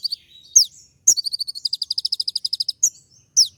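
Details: Brown-throated sunbird (kolibri ninja) in full, rich 'tembak' song: a few thin high slurred notes, then a long, evenly spaced rattling trill of about fifteen crisp notes, closing with more downslurred chips.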